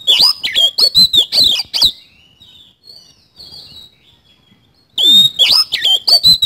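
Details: Kacer (Oriental magpie-robin) singing hard in 'isian kasan' style: a rapid chain of loud, high, wavering whistles, a soft subdued warble in between, then another burst of sharp, shrill notes.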